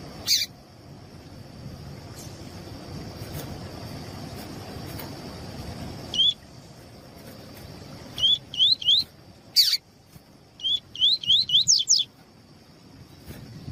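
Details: Female double-collared seedeater (Sporophila caerulescens) calling to stimulate a male, sharp upslurred 'tui' notes in quick bursts of three to six over a steady high whine and low rumble.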